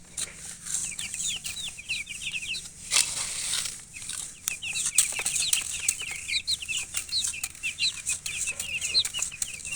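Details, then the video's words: Colored chickens chirping nonstop, dense overlapping high peeps in quick runs, broken by sharp clicks and a brief burst of wing flapping or rustling. "silly chicken chirping sounds with murgi hen color chicken"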